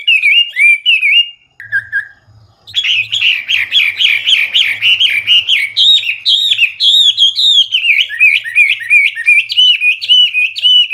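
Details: Hwamei in gacor full-isian song, loud and clear: a few whistled notes, a short pause, then a long, fast, varied stream of sweeping and warbled whistles with a faint low hum underneath.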